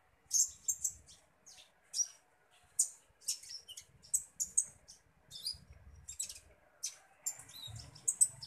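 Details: Common iora, a caged bird being fed, gives high, bright chirps and twittering notes in short bursts every half second or so, with faint low rumbling underneath.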